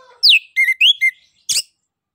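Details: Orange-headed thrush in loud, open ngeplong song, used to prompt other birds to sing: a steeply falling whistle, then three short whistled notes near mid pitch and a final scratchy burst.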